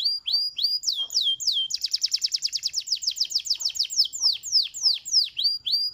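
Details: Canary song intended to trigger answering canaries: descending whistles, a fast rolling trill of sharp pulses, then repeated downward-sweeping notes at a lively, steady pace.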